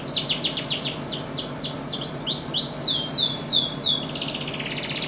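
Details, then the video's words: Canary singing a rapid series of repeated downward-sweeping whistled notes, about four per second, shifting into a second run of longer descending slurs, over a steady low background hum. "金丝雀 कनारी bird canary burung kenari bernyanyi चैंपियन कैनरी"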